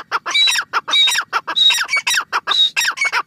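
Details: Grey francolin calling during the last month of breeding season, a fast run of loud, harsh, ringing squawks repeated in quick succession with short gaps, recorded close.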